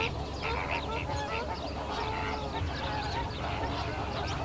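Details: Greater flamingos in a dense flock on 19 February 2017, many goose-like honks and nasal grunts overlapping continuously, with a low background rumble.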